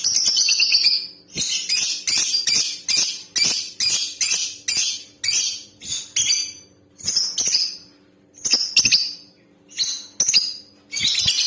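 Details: A female lovebird's breeding call, used to rouse a male to sing: rapid series of rasping, high screechy notes repeated roughly every half second, occasionally pausing briefly, with a low constant hum beneath.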